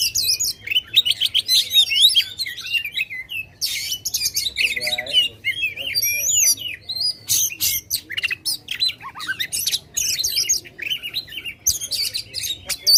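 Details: Loud, energetic Oriental magpie-robin song used to excite contest birds: long stream of harsh chirps, squawky notes and fast whistled trills, nearly unbroken, steady low hum underneath.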